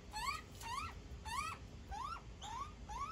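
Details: Begging young magpie, fed by its mother, gives six quick up-slurred squeals in about three seconds over a faint low rumble.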